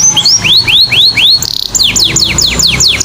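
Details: Canary song used to coax male and female canaries into singing: repeated rising, looping whistles about four per second, a brief fast buzzy trill, then a run of falling swept notes.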